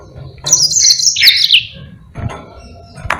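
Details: Yellow-fronted canary singing for use as a training recording for other birds. A single bright phrase of high twitters slurs downward over about a second, followed by faint clicks and quiet background noise.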